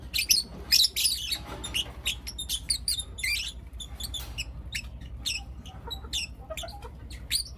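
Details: Lutino lovebird youngsters, four of them, calling in the morning with clipped, very high squeaks and ticks, loud at first, then softer scattered chirps with a faint low hum beneath.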